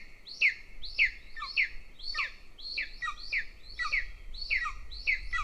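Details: Golden eagle chick at a nest near a military training ground in Northern Estonia begs while its older sibling is being fed by the mother; thin, high chirps sweep downward, repeated roughly twice a second, with faint low rumble underneath.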